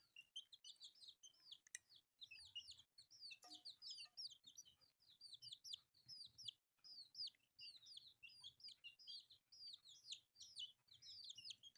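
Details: Colourful newborn chicks feeding on rice keep up a dense chorus of shrill, downward-curving peeps, repeated in quick clusters roughly every half second with brief pauses, plus a few sharp clicks and faint low background hum.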